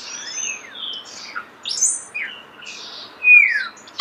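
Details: Starling song heard up close in nature, made of high thin whistles, slurred glides and brief squeaky notes, ending in a loud descending whistle.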